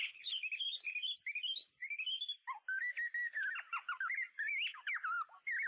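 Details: White-rumped shama song for luring birds with a mirror and MP3: bright high warbling phrases, then a lower run of looping whistles with sudden sharp upsweeps.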